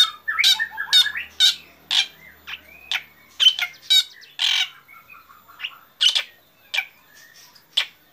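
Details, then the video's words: Morning song of a black drongo, a lively run of sharp chattering notes and short whistles delivered roughly twice a second, mixing rasping bursts with clearer tonal chips and a faint low hum early on. "Srigunting hitam gacor"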